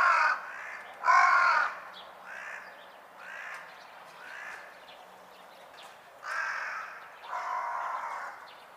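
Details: Carrion crow repeating its ordinary call: a string of rough, grating caws, some loud and abrupt and others softer, irregularly spaced over several seconds against a faint low hum.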